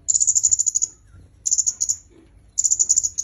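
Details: Red-headed myzomela call, a recording made for training songbirds: three bursts of rapid, very high, thin ticking notes, each about a second long, separated by near-silent pauses.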